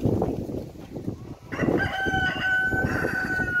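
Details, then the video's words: A rooster crows one long, strained, steady-pitched crow held for about two seconds, after a stretch of rough background rumble and clatter. "rooster sound"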